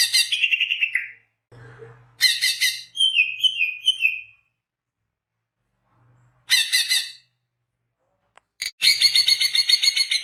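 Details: Actively singing greater green leafbird, used to lure birds: short harsh chattering bursts alternate with clear whistled notes sliding downward, a low hum between phrases, then a long rasping trill after a silent pause.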